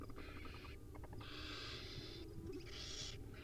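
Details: Wild owlets at dinner time, recorded on a nest camera: three long, harsh, noisy hissing bursts, each about a second, separated by short gaps, with a steady low hum underneath.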